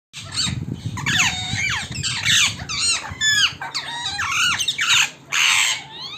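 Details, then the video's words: Wild parrots gathering at a home in the evening, a dense chorus of overlapping shrill, sweeping squeaks and squawks, many birds calling at once with barely a pause, low rumbling background noise underneath. "Wild parrots in our home(evening meeting)"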